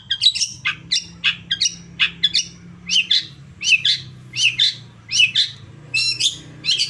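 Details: Long-tailed shrike stimulus song meant to make another shrike respond. Harsh, scratchy double notes repeat at an even pace, about eighty per minute, some with thin high overtones, over a low background hum.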